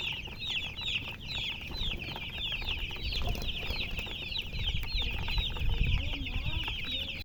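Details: Young chicks chirping in a lively chorus of high, curving peeps from many birds, with a few lower, softer chirps toward the end and mild background rumble.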